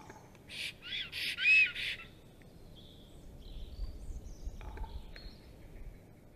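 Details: At a black stork nest with eggs on 30 April 2022, shortly after 12:34 PM, the pair greets each other and then the male attacks an intruding female. A short series of raspy, pulsed calls is followed by quiet, distant chirps.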